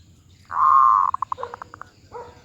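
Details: Zebra dove, a medium-voiced (suara sedang) bird: one long steady coo, then a quick run of about eight short pulsed notes, with a brief lower coo at the end over quiet background hum.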